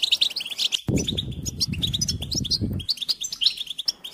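Goldfinch song in quick, high twittering phrases of tinkling chirps, with a low rumble of wind or handling noise partway through.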